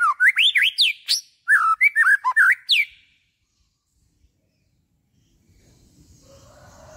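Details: White-rumped shama song used to excite and provoke singing in kept shamas: about three seconds of rapid looping, rising and falling whistles, followed by silence and faint background hiss.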